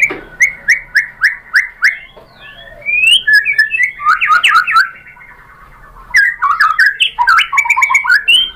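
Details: White-rumped shama singing to prompt other birds to answer: five rich, evenly spaced whistles, then varied warbled phrases with sharp upslurs, a brief lull, and another burst of tumbling whistled notes.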